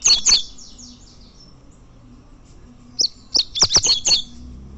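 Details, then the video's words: Champion double-collared seedeater from tournament competition giving a couple of loud high chips and fading buzzy notes, then after a pause a fast burst of sharp, high chipped notes, over quiet background hum. "Coleiro campeão e galador torneio fibra"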